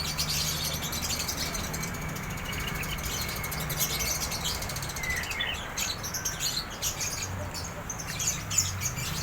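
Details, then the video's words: Lively drongo song, bursts of sharp high chirps and warbling notes, busiest in the second half, beside a thin steady whine and a constant low rumbling hum. "Suara burung Sri gunting gacor"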